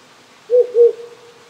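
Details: Wild owl hooting at night near a rural Japanese home on a cold evening. It gives a short double hoot, two low notes run closely together, over the quiet hiss of a small stream.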